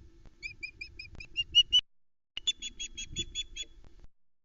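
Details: Female osprey alarm calling at an intruder near her nest with chicks, Arkaig Community Forest, 12 July 2020: two urgent bursts of sharp, high whistled chirps, about seven a second, the second slightly higher, over a faint low rumble.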